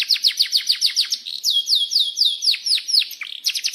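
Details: Canary rolling song meant to set other canaries singing: quick repeated high downslurred chirps, then longer sweeping whistled notes, returning to fast chirping.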